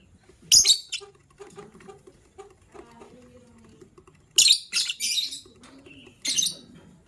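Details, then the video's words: Lovebirds chirping in the morning, including a gray lovebird said to be ready to lay eggs. Three loud, harsh, shrill chirp bursts are heard, with soft rustling and faint low chatter in the quiet gaps between them. "Yellow Green Lovebird's melodious chirping sound"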